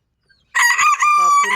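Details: A red-brown fancy bantam rooster, 6 months 18 days old, crowing in the morning. It gives one strained, harmonic crow of about a second, holding a steady high tone, then dropping in pitch at the end.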